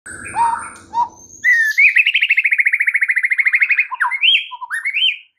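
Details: White-rumped shama in full varied song used to provoke a stalled caged bird into singing: low whistled notes, then a long rapid series of repeated rattling trills, ending in rising and falling whistles.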